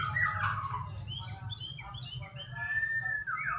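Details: White-rumped shama song played as a lure for singing, somewhat subdued: mixed short whistles, chips and drawn-out tones. A noticeable low rumbling hum runs throughout.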